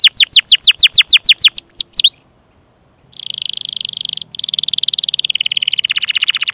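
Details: Canary in long training song for young or reluctant singers: a series of repeated downward-curving whistled notes, a brief pause, then a fast dense buzzy rattle and rolling trill continuing to the end.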